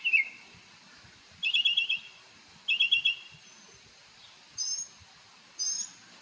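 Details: On Marco Island, Florida, a bird sings while dancing in the morning, giving short rapid trills separated by pauses and a few thin, high whistled notes.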